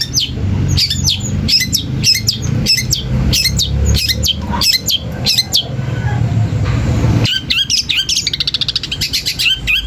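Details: Long-tailed shrike singing to rile rival shrikes into replying: loud staccato high notes repeated roughly every half second over a steady low rumble, shifting near the end to a faster, denser chatter.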